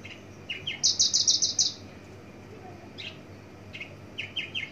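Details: Horsfield's (Javan) bush lark filmed from a distance, singing a varied phrase with mimicry of field and garden birds: a fast run of five shrill high notes among scattered lower chirps, over faint hiss.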